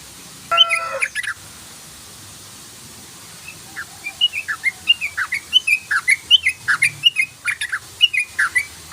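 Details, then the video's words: Sooty-headed bulbul song used as a lure call: a fast run of short, rising, bubbly whistled notes, about two to three per second, after a brief burst of scratchy noise at the start. "CRUKCRUKCRUKCRUK BURUNG TEUCUKAN ROPEL❗❗❗❗SUARA TRUCUK ROPEL❗❗❗❗"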